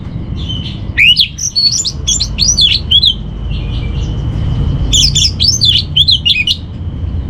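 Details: Orange-headed thrush master song for training: dense clusters of fast looping, chattering warbled notes, a pause with a thin whistle, then another lively burst over faint background noise.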